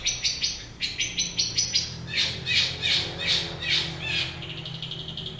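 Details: In the morning a long-tailed shrike sings a quick series of sharp ticking notes, then repeated buzzy, rasping notes at an even pace, closing with soft high chatter.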